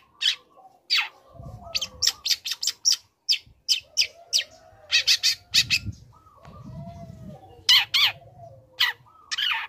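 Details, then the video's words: Young long-tailed shrike singing energetically while learning new material, used to goad other shrikes into answering: bursts of harsh, scratchy chattering notes in quick sequences, a few thin whistled slurs between them, and low rumbling background noise. "Pancingan Emosi | Cendet Muda Gacor Belajar Materi Bikin Cendet Manapun Auto Nyaut Emosi Ikut Bunyi"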